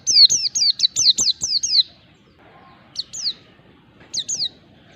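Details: Lure recording of a mountain white-eye singing ngalas style to make a lazy bird respond: a fast string of about eight high descending whistles, then two short pairs of the same sharp notes after a pause.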